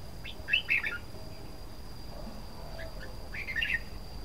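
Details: Singing red-whiskered bulbul gives two brief bursts of lively, warbled chirps about three seconds apart, softer than the constant high-pitched tone and broad hiss behind them.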